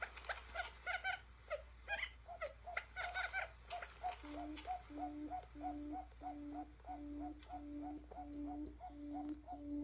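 A buttonquail gives a steady run of low, hollow hoots about twice a second. Sharper chattering bird notes come first, over faint background hum.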